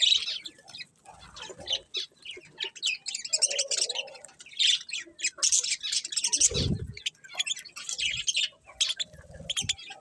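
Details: Colourful budgerigars in a chattering flock, continuous high scratchy chirps and warbles with brief squawks, a low thump partway through.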